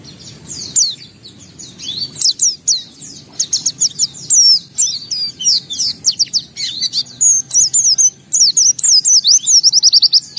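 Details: White-eye singing hard with open beak, unloading its repertoire: long jumbled stream of high, thin chirps, trills and twittering whistles that grow denser and faster toward the end.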